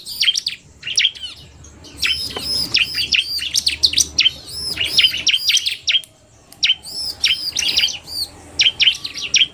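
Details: Bar-winged prinia pair, the male in narung style and the female fast, pouring out dense runs of piercing chirps and ringing arched notes, with short gaps between loud bursts.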